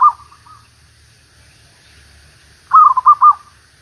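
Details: ['Zebra dove song used as a decoy for trapping after a week of continuous rain: a short burst of soft, rolling coos, then a louder run of quick, bubbling, trilled coo notes near the end.']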